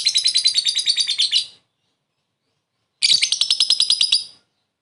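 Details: Two quick bursts of lovebird ngekek laughter, a short call for luring a rival: each run lasts about a second and a half of rapid, raspy high chattering notes, separated by silence.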